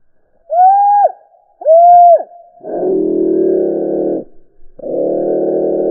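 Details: A pair of black-capped chickadees greeting each other, slowed far down: two drawn-out, arching pure whistles, then two long, deep, buzzy notes, all sounding low and eerie at reduced speed.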